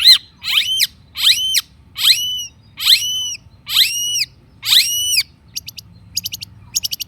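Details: Long-tailed shrike, lure song meant to coax quiet shrikes into answering: six loud, harsh downward-slurred whistles about every three-quarters of a second, then a scatter of short high ticking notes.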